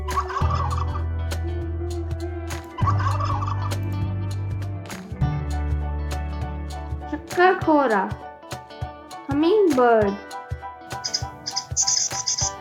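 A turkey gives two rapid, rattling gobbles, each a quick burst of warbling notes, over steady background music.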